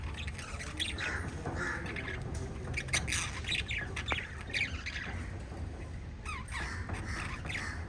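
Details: Five caged budgerigars chatter together, giving scattered short chirps, quick squeaky notes and brief upward-sweeping calls over a constant low hum.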